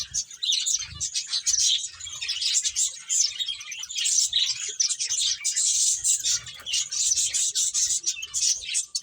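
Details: Finches chattering while playing: rapid, high, overlapping tweets form a dense bright wash, with soft low thuds now and then.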